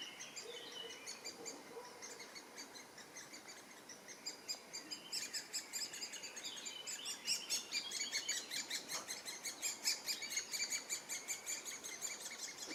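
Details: Eurasian blackcap singing on an ornithological walk in Drwinka River Park, Kraków, Poland: a fast, rich warble of high, bright phrases that swells after a few seconds, mixed into a busy chorus of other songbirds.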